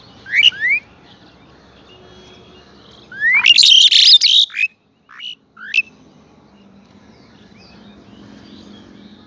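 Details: Morning at Saifai, Uttar Pradesh: a pied myna, recorded by phone, gives rising whistled notes, then a long harsh churring phrase with squeaks, and ends with a few clipped upward whistles.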